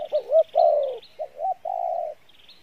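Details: Brief burst of spotted dove cooing, Pha Bài Lối style: a wavering note, a long falling coo, then two short hoots and a steady drawn coo, faint high chirps from another bird behind.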